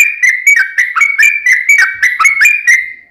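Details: Long rolling song of a sooty-headed bulbul, used to prompt a kept bird to sing. Rapid, mellow whistles follow one another closely, then fade out on a drawn-out final note.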